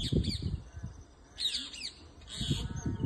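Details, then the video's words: Backyard parrots perched in a moringa tree utter three brief groups of rasping, up-and-down squawks separated by short pauses, with low wind-like rumble throughout. "Parrots in my backyard"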